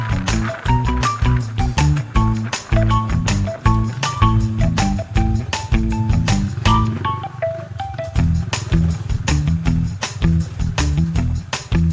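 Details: Steady music with a heavy bass beat and repeated melodic notes plays throughout, with no animal calls heard.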